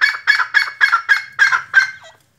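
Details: Sindhi teetar, the black francolin, calls a short series of six evenly spaced, harsh, nasal notes, each about a quarter second apart, ending with a fainter final note.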